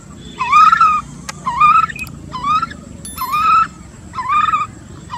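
An American coot gives nasal, honking calls about once a second, five in a row, over a low rumble of background noise.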